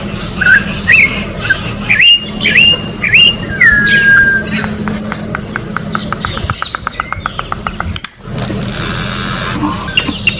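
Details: Orange-backed troupial singing in nature, a tutoring song: a few curling whistled phrases, then long trains of rapid dry clicks, ending in a broad hissing burst, with low hum throughout.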